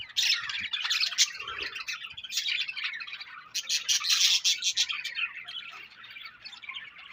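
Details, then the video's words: Chirping from a budgie colony, a bright, crowded chatter of sharp tweets and warbled squeaks, loudest in bursts near the start and middle, easing to softer twittering at the end. "Budgies Colony Chirping Sounds"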